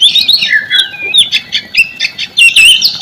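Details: Lure song of the white-rumped shama for getting silent birds to sing: a dense, high, twittering stream of squeaky slurred notes and chattery bursts.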